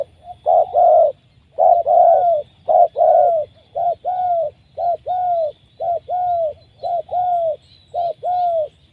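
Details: Trapped wild spotted dove with a powerful voice, praised as a good future decoy. Loud, mellow two-part coos repeat about once a second in a steady rhythm, with a faint high insect drone behind them.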